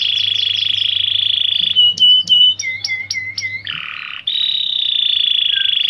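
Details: Canary holding a long, steady, high rolling trill, then clear short whistles and down-slurred notes, a harsher lower buzzy phrase, and another sustained high trill; low hum in the background.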